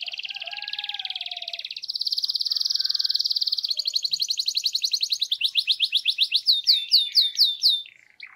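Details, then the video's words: A gray canary delivers a long song: a steady buzzy trill, then a louder, faster rolling trill, breaking into rhythmic down-slurred chips that slow toward the end, with a faint low whistle early on. "غناء جميل من الكناري الرمادي Good singing from the gray canary"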